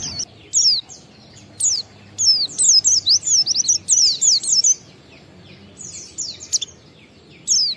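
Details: Oriental white-eye singing in ngalas style as a lure for other white-eyes: bursts of thin high descending whistles, a busy run mid-clip, separated by quiet gaps.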